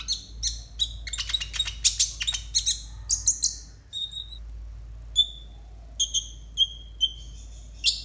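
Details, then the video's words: Tutor recording of a konin singing to train other konin: a rapid burst of sharp, high chirping notes, then a slower series of clear whistled pips spaced about half a second apart, with a steady low background hum. "TERAPI AMPUH UNTUK BURUNG KONIN 100% COCOK BUAT MASTERAN KONIN BAHAN"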